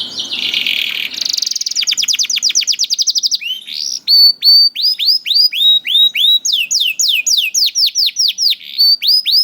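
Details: Juvenile canary singing as a lure for reluctant singers: a harsh buzzy phrase, a fast rising trill of repeated notes, then loud downslurred whistles repeated around four times a second.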